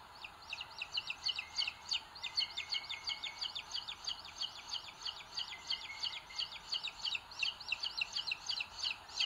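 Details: Webcam recording from a booted eagle nest in Sierra de Guadarrama National Park, Spain, 2022, where the older chick pecks the smaller; dense, rapid high cheeping runs on continuously, with a thin steady whine beneath part of it.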